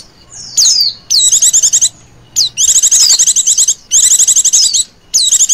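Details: Female Oriental white-eye, recorded as a lure, delivers quick falling whistles leading into sustained buzzy pulsed trills, each burst around a second long with short silent gaps between.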